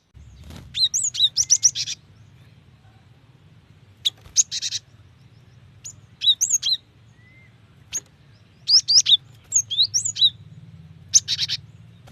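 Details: Female cinereous tit calling to a male, used to lure males into calling: short bursts of rapid, high, sharp chattering notes, repeated in clusters every second or two, over a steady low background hum.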